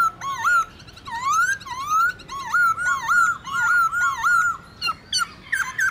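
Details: Wild-style laughingthrush song, used to rouse and train caged birds: a run of rich, rising whistled notes repeated about twice a second, ending in more varied, scratchier phrases.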